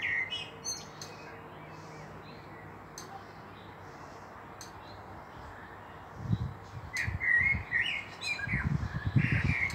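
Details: Common blackbird in song at Meschede, Germany, 18 May 2021, with a pair of fieldfares about: after a long quiet stretch, fluted warbles and scratchy high notes arrive in the last three seconds over bursts of low rumbling.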